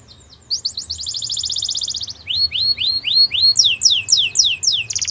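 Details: Belgian canary singing a long rapid rattling trill, followed by five separate rising whistles and a burst of steep, loud descending notes.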